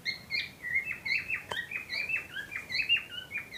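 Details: Breeding-ready pair of cockatiels chattering: overlapping chirps and slurred whistles in a steady stream, several notes falling at the end, and one sharp click partway through.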